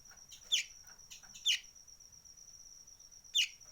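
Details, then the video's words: Sunbird with an unusual call: quick, piercing descending chips, two close together and a third after a pause, against a constant high insect tone. "Kolibri ninja suara aneh"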